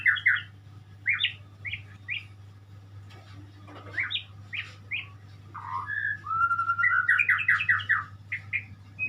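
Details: White-rumped shama, locally called murai, singing a rich, varied song of whistled phrases, slurred notes and fast trills, with pauses between bursts over a steady low hum.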